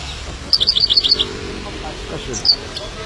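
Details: Himalayan goldfinch uttering a quick run of about six bright, high, evenly spaced chirps, followed later by a single sharp note.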